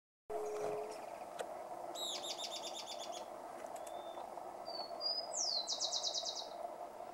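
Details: Euler's flycatcher gives two quick, burry series of high notes, each rattled off in under a second, over a steady insect-like hum; Santurce, Santa Fe, 3/11/2020.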